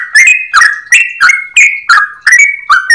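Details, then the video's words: Yellow-vented bulbul (trucukan) singing steadily in a long, rapid, clear-voiced run: bright, slurred notes rising and falling, about eight in three seconds, with nothing else audible. "Trucukan gacor ropel panjang suara jernih"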